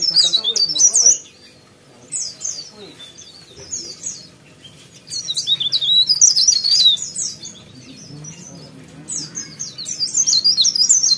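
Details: Sooty-headed bulbul singing vigorously: bursts of rapid, chattering, high twittered notes, each burst lasting one to two seconds, separated by quieter pauses with faint background hum.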